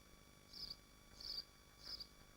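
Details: Nesting swifts at a nest site in Machynlleth, Dyfi Biosphere, on a livestream: three short, high, buzzy bursts about 0.6 seconds apart over a steady electrical hum.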